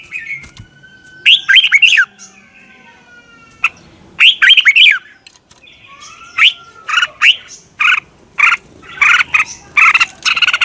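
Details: Red-whiskered bulbul morning song for training birds: two warbled phrases of slurred whistles early on, followed by a long run of short, evenly spaced sharp chirps, with faint thin whistles in the background.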